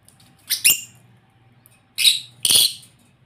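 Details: African lovebirds calling: harsh, broadband screeching squawks in two closely paired bursts, separated by about a second and a half of quiet room background.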